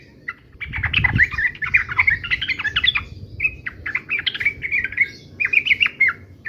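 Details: Yellow-vented bulbul in fighting-song mode, a busy run of chattering, gurgled notes, then a pause and more clipped, warbling phrases. Low thumping noise sounds early on.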